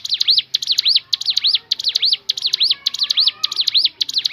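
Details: Crescent-chested babbler (ciblek gunung) giving a natural variation song: quick series of high, looping whistled notes, U-shaped and dipping, delivered in tight clusters of two or three, repeating steadily about every half second.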